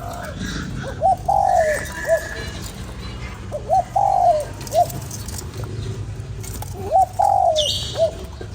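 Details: ['A spotted dove repeats its three-part coo about every three seconds to rouse a lure bird: short note, prolonged falling coo, short note, with occasional higher chirps from other birds.']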